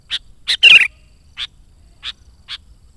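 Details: Sooty-headed bulbul in full song for luring wild birds: two sharp chirps, a rough rattling burst, then three further evenly spaced clipped notes.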